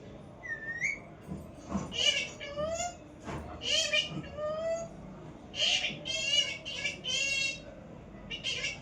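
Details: Parrot calling: a short high whistle, then a run of strained, harmonic, mewing cries that bend upward and downward, delivered in clusters with brief pauses over a quiet background.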